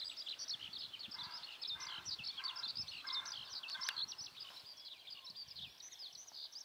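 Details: Eurasian skylark singing over a cattle pasture in Hoki, Tottori, Japan, on a cloudy, rainy day, 22 May, early rainy season: a ceaseless, rapid run of high chirrups, plus a lower repeated warble in the background and faint hiss.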